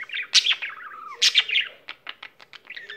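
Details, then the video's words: Pet budgie giving a quick burst of song, loud scratchy chirps and a falling whistle followed by a run of short dry clicks. "il cocorito canterino"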